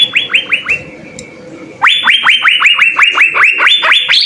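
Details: Blue-winged leafbird in a lively 'gacor' full song. A fast run of sharp down-slurred notes repeats about three times a second, pausing briefly before resuming with a higher, stronger series of notes.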